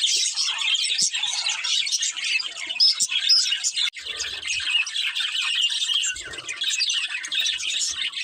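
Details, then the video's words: Breeding pair of budgerigars chattering nonstop in high, scratchy warbles and quick chirps, with brief soft knocks in the background. "Cute Budgies Chirping Sounds"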